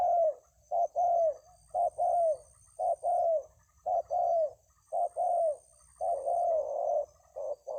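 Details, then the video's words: Tekukur, or spotted dove, giving 'kuk 2 3 jergot' style song: steady, low cooing phrases repeated about once a second, each pairing clipped coos with a drawn-out, slightly falling rolled note. "Kuk 2 3 jergot"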